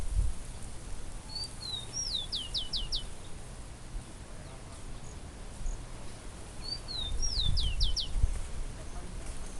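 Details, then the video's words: Outdoor birdsong in nature, the phrase given twice about six seconds apart: a gliding whistle dropping in pitch, then a burst of four or five fast, high downsweeping notes, against constant low hum. "Pássaro cantando na Natureza"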